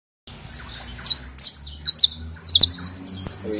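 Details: A saffron finch held in the hand in Valencia gives high, sharp chirps that slur downward, in uneven bursts about every half second, over a faint low indoor hum.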